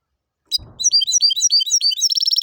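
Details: Hybrid of goldfinch and canary singing after a short thump: high, rapid twittering of sweet slurred notes, ending in a fast trilled series of bright repeated notes.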